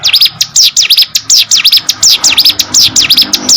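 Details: Hill prinia singing vigorously: a fast, loud series of sharp high zigzag notes repeated in quick regular pulses, about four to five per second, with no other sounds.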